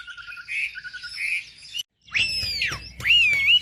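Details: Wambi song used as a lure to provoke other wambi birds: clear whistled notes rising and falling in arcs, a short break near the middle, then a bright slurred whistle dipping and rising again.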